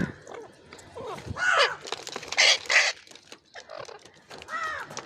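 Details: Ringneck parrot giving loud, harsh, rasping screeches in short bursts, several in quick succession then a pause, followed by softer, lower chattering notes and a final harsh call.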